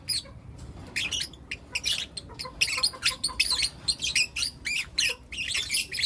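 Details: Young lutino lovebirds, four kept together, calling in the morning; irregular clusters of high, squeaky chirps with short gaps and a faint low background hum.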